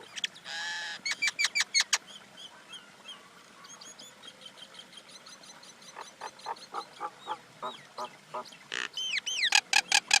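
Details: Common myna in a long, varied sequence: a harsh rasping burst, quick clicks and whistles, then a rapid chattering series of gurgling notes ending in loud, squeaky rising whistles.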